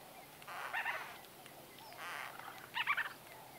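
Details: White-fronted bee-eater conversation calls recorded at close range: two bursts of rolling, rapid chirps, each about half a second long, over quiet background hiss.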